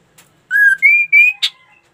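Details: Ashy tailorbird singing actively: a steady whistled note, then two brighter, harmonic-rich rising notes, and a short buzzy burst at the end.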